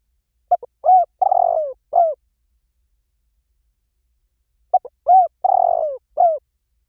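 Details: Spotted dove giving its cooing phrase twice, about four seconds apart. Each phrase has quick soft opening notes, a rolling drawn-out coo, and a last falling note, with silence between the phrases.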